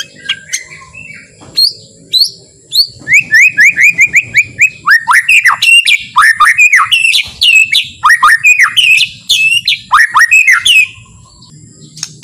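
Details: Long, rich white-rumped shama song, gentle and relaxed, meant to provoke other shamas into eager, agitated singing: varied whistles give way to rapid repeated short notes, then loud swooping down-slurred phrases repeated about twice per second.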